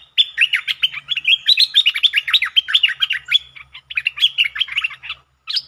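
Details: Streak-eared bulbul delivering a long song with doubled phrasing, used as a lure sound, 13 February 2023; a nearly unbroken stream of fast, warbling chirps for about five seconds, ending in a brief pause and a final note.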